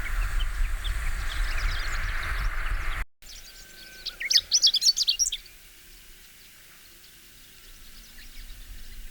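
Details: Chestnut-eared bunting spring-to-early-summer song: one quick, high, jumbled phrase of bright chips lasting about a second, after steady rumbling wind noise.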